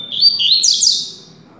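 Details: Double-collared seedeater, a male kept for song contests and described as nervous, giving a quick, bright burst of high whistled notes that slide and twitter for about a second, over a faint low hum.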